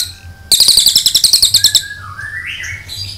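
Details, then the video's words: Cililin tutor recording: a short explosive high rattle lasting over a second, then a smooth whistle that dips and climbs in a wavering glide. "MASTERAN CILILIN NEMBAK PANJANG"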